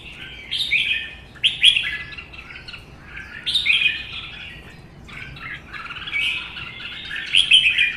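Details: Duel singing from caged red-whiskered bulbuls, one a wild-caught bird held for a season. Four loud warbling phrases of rising and falling notes, each about a second long, separated by quieter chatter.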